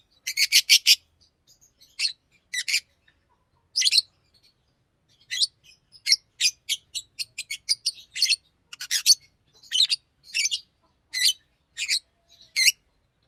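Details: Green Fischer's lovebird singing a run of sharp, harsh chirps, an opening burst of four quick notes, then single and paired chirps spaced irregularly across the stretch, with near silence between them.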